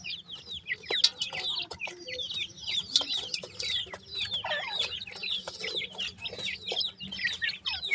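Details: Baby grey francolins calling sweetly, a nonstop stream of loud, high hooked chirps and peeps from several birds at once, dense and uneven in rhythm, over a soft low hum.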